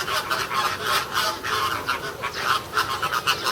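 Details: American flamingos at Ueno Zoo, Japan, in June 2016, apparently quarreling, trading harsh, goose-like honks in a rapid, overlapping burst, several calls per second from more than one bird.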